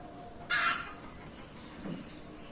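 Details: Ringneck parrot giving a single harsh, broadband screech lasting about a third of a second, followed by a faint low call and steady background hiss.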